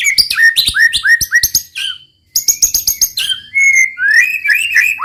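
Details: Murai batu (white-rumped shama) in roll tembak song, meant to agitate rivals: rapid rows of sharp chipping notes and slurred whistles, a brief pause, then more clipped bursts ending in long sweeping whistles.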